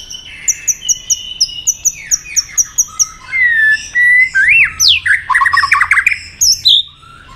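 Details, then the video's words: Caged white-rumped shama being roused to fight-sing: opens with a regular series of thin high ticking notes, then breaks into loud whistled slides and rapid stuttering phrases of falling notes. "kích lửa cho chòe lửa hót"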